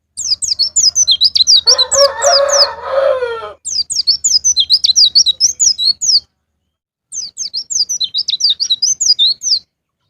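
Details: White-eye (pleci) pancingan song, ngalas ngeplong style, for prompting caged birds: three long bursts of quick, high, repeated chirps, with a rooster-like crow overlapping the first.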